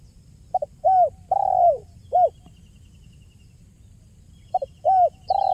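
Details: Spotted dove giving a clear 'kuk 1' style coo used to lure other doves: two short soft notes, then a longer rolling coo and another short note, repeated after a pause of about two seconds, over a faint low hum.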